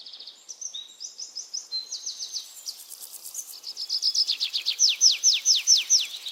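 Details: Birds chirping in a relaxing nature setting: overlapping high trills and rapid chirp series, then loud descending chirps repeated about every quarter second toward the end.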